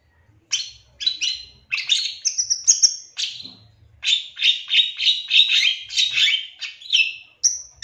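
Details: Long-tailed shrike, a 2023 champion, singing as bait to make other shrikes call back and turn aggressive. Sharp chirps and a drawn-out high whistle, a pause, then a fast run of scratchy, warbled notes.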